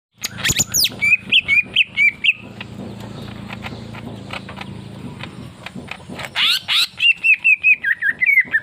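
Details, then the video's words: Leafbird singing vigorously in a relaxed 'tembakan' volley style: sharp rising sweeps, then rapid runs of repeated chirpy whistled notes, a quieter mid-section with a low hum beneath, then another burst of sweeps and a fast series of repeated notes. "TEMBAKAN SANTAI BURUNG MURAI DAUN GACOR"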